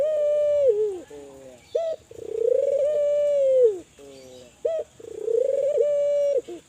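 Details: Spotted dove, a Kelantan gacor type, calling to prompt other doves to call: falling coo, short clipped notes, then long warbling coos, repeated roughly every three seconds.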